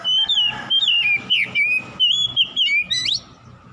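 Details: Song of an oriental magpie-robin, or kacer, meant to stir a quiet bird into full song: a chain of clear whistled notes, some level, some swooping, given almost without pause, ending in a quick rising flourish.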